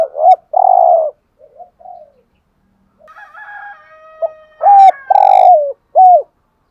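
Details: Spotted dove cooing in the 'hạp bổi' style, intended to excite caged males. Deep hollow coos with hooked lead notes begin and end the recording. Soft murmurs and a brief burst of higher, chirpy sounds from other birds come between them.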